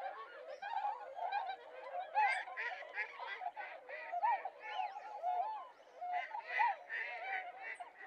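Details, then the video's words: Mallards in Japan in January give a continuous chorus of overlapping nasal, honking calls, several birds at once with pulses every half second or so, as two birds leave the group and mate. "マガモ 交尾"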